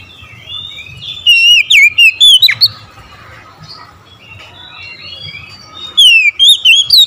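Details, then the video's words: An Oriental magpie-robin's morning song, two energetic runs of loud whistles with twisting pitch, the gap filled by faint scratchy chatter. "OCEHAN KACER DI PAGI HARI"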